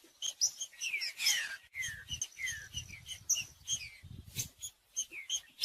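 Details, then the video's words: Green-winged saltator song played to stir a cold, silent bird into singing: a run of quick downslurred whistles and crisp high chips, with a faint low rumble underneath through the middle. "TRINCA-FERRO CANTANDO /ESQUENTAR TRINCA FERRO FRIO"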